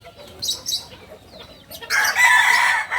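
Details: Purebred Kukuak balenggek rooster from Solok, West Sumatra, giving a loud harmonic crow in the last second, after faint rustling and scattered high chirps.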